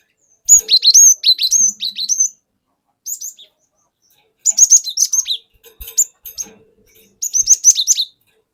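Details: Wild-caught cinereous tit lure song of the wucit wuit type: rapid runs of high, piercing whistled chirps in three bursts, each a second or two long, with a short pause between them.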